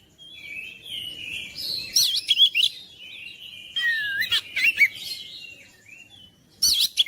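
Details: Kacer (oriental magpie-robin) song to make quiet kacer sing persistently: soft whistles building into loud scratchy bursts with twisting, looping whistled notes, repeated in several energetic phrases.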